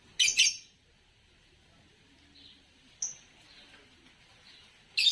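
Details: Green Fischer's lovebird, the type often winning Indonesian bird song competitions, making a harsh double burst of chirps, a single thin high note midway, and another raspy burst at the end, with quiet gaps between.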